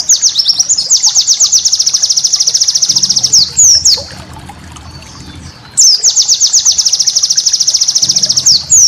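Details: White-eye master song with 'tembakan' shots for training cage birds: two long bursts of rapid, very high, evenly repeated chirps, about three per second overall, separated by a quiet gap with faint low hum.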